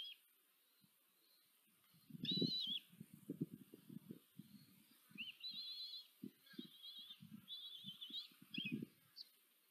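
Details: Common kestrel female feeding four chicks at a nest-cam nest in Tiszanagyfalu, Hungary, 14 July 2023; high, wavering, rasping calls in short bursts, with repeated low thumps and rustling of movement in the nest.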